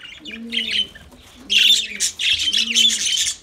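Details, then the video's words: Lovebirds singing: a short quiet stretch of chirps, then a loud burst of shrill rapid squeaking chatter, with three soft low coos beneath. "Lovebirds Sounds Lovebirds Singing"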